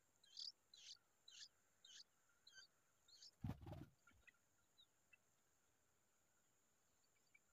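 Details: Himalayan bulbul feeding its young: a run of thin, high chirps spaced roughly 0.4 seconds apart for about three seconds, broken by a loud thump, then a few scattered faint chirps.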